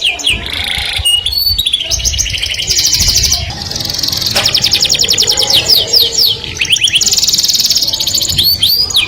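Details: Canary singing a melodious song said to attract the opposite sex: rapid high trills and rolling buzzy tours, broken by upswept whistled notes and brief pauses, sustained throughout with a low background hum.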